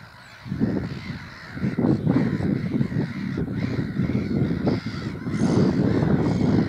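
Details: Black-headed gulls at Burwell Fen, Cambridgeshire, UK, on 15 April 2015, in a dense, noisy chorus of harsh, grating squawks, several birds calling over one another almost without pause.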